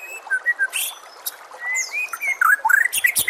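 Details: White-rumped shama tutor song for training caged birds: spaced clear whistles, a long rising slur, then a fast jumble of twisting notes and clicks at the end.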